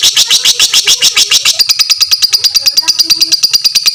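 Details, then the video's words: Fighter lovebird in a long ngekek chatter meant for training other lovebirds, delivering rapid, piercing, high notes at an even beat of a little over two per second, turning thinner and more tonal halfway. "suara lovebird fighter ngekek panjang"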